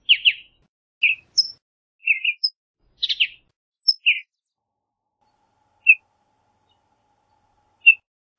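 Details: Western bluebird giving soft, burry chirps, clustered at first then thinning to isolated single notes several seconds apart, with brief high thin peeps mixed in; no other sounds.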